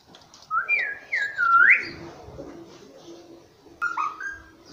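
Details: A pet ring-necked (rose-ringed) parakeet talks nonstop, saying "mummy papa" in shrill, whistle-like syllables: a run of four rising and falling phrases, then a pause and two more, over a faint low room hum.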